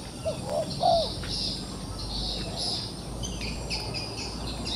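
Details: A trapped wild pigeon that is still fighting gives a few short, low, hollow coos in quick succession early on, then falls quiet, while insects buzz steadily and other birds chirp high in the background.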